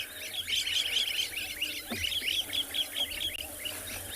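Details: Wattled starlings in a noisy flock at a waterside tree in a South African game reserve in the afternoon, going down to plunge bathe in the heat; a busy chatter of high, squeaky chirps, several each second.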